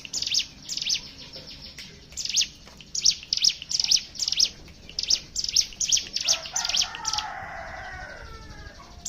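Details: Rapid run of high, sharp repeated chips from a hill prinia singing ngebren style as a lure for other birds, fading after seven seconds into a rougher lower rasping sound.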